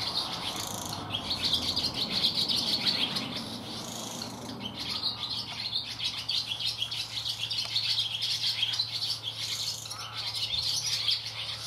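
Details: Loud twittering of barn swallows in a shed at Getterön on 17 May 2018, an unbroken stream of quick high chirps and scratchy warbled phrases overlapping from multiple birds, with a faint low hum beneath.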